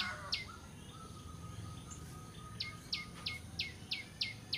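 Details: Bar-winged prinia, a lure recording for bird trapping: a single sharp chip, a pause with a faint steady whistle-like tone, then a quickening run of high downward-slurred chips.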